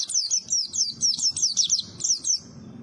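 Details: Lively high twittering from a pleci (white-eye), a steady run of sharp, downward-sweeping chirps in quick bursts with short gaps, ending in a brief pause.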